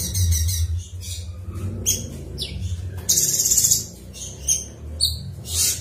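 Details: Cucak cungkok in ngebren song: bright high chirps and a sustained rapid trill mid-phrase, then short sharp notes, over a steady low background hum.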